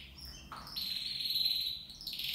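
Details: Caged copper mosaic canary, from a group of two males and two females in a flight cage, giving a brief sustained, even, high trill after a short lower note.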